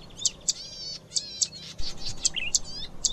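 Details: Zitting cisticola (Cisticola juncidis): bright, sharp high notes struck roughly every quarter to half second, with other birds' undulating, wavy phrases filling the gaps.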